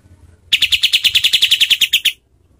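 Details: Kapas tembak bird giving its harsh, rapid call, used as a master recording for contest birds: a clean run of about sixteen rasping notes in under two seconds.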